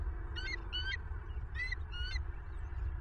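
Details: Bald eagle at a nest camera in southwest Florida, late night of 25 November 2022: four high, thin piping notes in two pairs, each slightly rising, over a steady low rumble of wind and camera hum.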